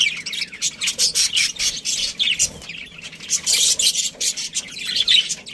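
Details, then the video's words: Budgerigar breeding colony chattering: rapid, rasping chirps and warbles follow one another quickly, loudest midway, with several birds calling over each other. "Cute Budgies Chirping Sounds"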